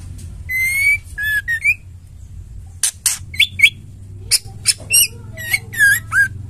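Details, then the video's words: Female white-rumped shama (murai batu), a bird used to stimulate caged males to sing. Clear whistled rising notes alternate with short harsh, buzzy bursts and squeaky upslurred whistles in quick uneven phrases, over a low steady hum. "Murai betina | Murai batu betina gacor terapi ampuh trotol & jantan macet bunyi"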